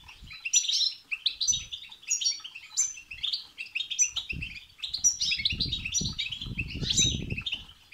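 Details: Goldfinch singing 'betbeta' and 'setseta' passages used to stir a goldfinch to sing, a continuous high jingling twitter of quick trills and clipped metallic notes, with rumbling flutter-like thuds growing in the second half.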